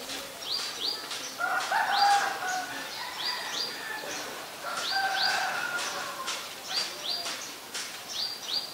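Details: Common myna in Ubon Ratchathani, Thailand, recorded May 4, 2022 on a Nikon P1000: harsh, chattering mid-pitched notes mixed with repeated sharp upward-sweeping whistles, over steady outdoor background noise.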